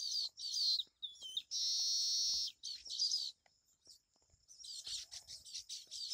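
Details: Baya weavers chatter at a colony tree holding over 50 nests, built in the monsoon season: high, buzzy, wheezy notes and a sustained sizzling trill, overlapping in bursts, with a brief whistled note among them.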